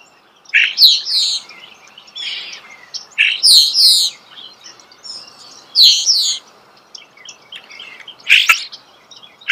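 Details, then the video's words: Close-range starling song in short, bright bursts of mixed whistles and harsh chatter, each lasting about half a second and repeated irregularly, with sharp clicks between phrases and quiet gaps. "The song of the starling"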